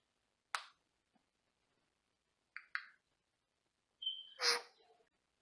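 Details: A pet Senegal parrot, faced with a chicken-beak mask prank, gives a single harsh squawk, then a quick double squawk, and ends with a brief high whistle running into a loud, rasping screech in a quiet room.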